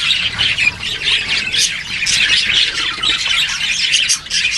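Parakeet hatchlings give a continuous chorus of high, raspy, overlapping squeaks and squawks, pulsing without pause.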